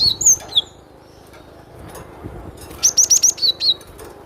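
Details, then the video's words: Cinereous tit calling with a few slurred high whistles, then a rapid burst of four sharp rising chips followed by two lower falling whistles. "SUARA BURUNG GLATIK BATU PALING RENYAH"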